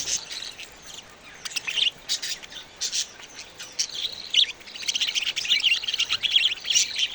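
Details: Young budgerigar chicks giving thin, raspy high-pitched chirps, sparse at first and then a busier, continuous chatter toward the end.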